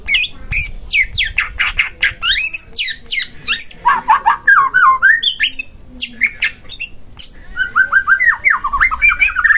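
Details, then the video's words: White-rumped shama singing, used to provoke another shama's song: rapid, varied phrases of steeply sweeping whistles and harsh squawky notes, delivered almost without pause, ending in a quick rolling series. "Pancingan Murai Batu Agar Bunyi Langsung Emosi Bongkar Isian"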